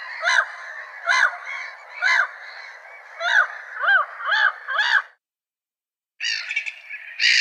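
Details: Gull giving a run of raucous, nasal cries in quick succession, then a second of silence before another burst of harsher, rasping calls.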